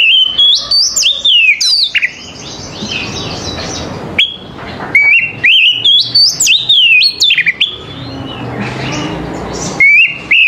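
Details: Oriental magpie-robin singing in the morning, used to prompt other magpie-robins to answer and sing: loud, clear whistled phrases sliding up and down, sharp upward flicks and wavering notes in bursts with short pauses, over a soft background hiss.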